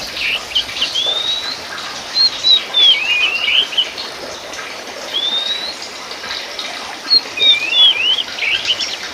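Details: Kacer poci (oriental magpie-robin, Copsychus saularis musicus) sings repeated bouts of rising whistles and twisting warbles, with pauses between phrases. Background hiss resembles flowing water.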